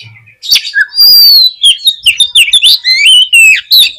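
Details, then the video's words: Oriental magpie-robin pouring out a loud, continuous run of sweet slurred whistles and quick trills, played to lure pet magpie-robins into singing. "KACER KURANG EMOSI ?? PUTAR SUARA INI DI JAMIIN KACER KALIAN AUTO BONGKAR ISIAN"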